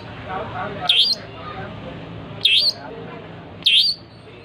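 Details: Three emphatic, sharp, dipping notes from an actively singing long-tailed shrike, spaced irregularly over four seconds, with soft warbles and low murmuring beneath.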